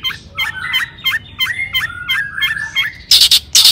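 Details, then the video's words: Long-tailed shrike singing to draw answers from other shrikes. A series of rounded, looping whistled notes repeats about every third of a second, ending in loud, harsh, noisy bursts. "cendet gacor AMPUH TOET TOET PANCINGAN CENDET AGAR BUNYI"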